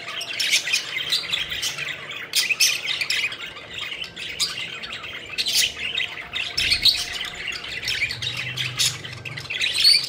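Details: Playful pet budgerigars fluttering about, keeping up a steady stream of bright, high chirps and rasping notes with short pauses between bursts.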